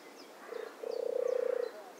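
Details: European turtle dove singing: a brief purr followed by a longer, rolling, pulsed purr of under a second, low and even in pitch, with faint high chirps of other birds behind.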